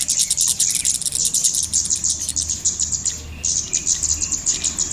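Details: Lure sound of the golden-headed cisticola, played to bring birds to lime sticks. Rapid, high-pitched chattering chirps run for three seconds, break briefly, then resume. Occasional softer, lower whistles are heard.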